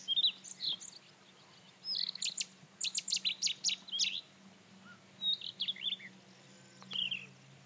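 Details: Rufous-tailed scrub robin song built from short separate phrases: quick high twitters, then a rhythmic series of loud ringing notes, then a few slurred whistles and a last descending trill. There is a low background hum.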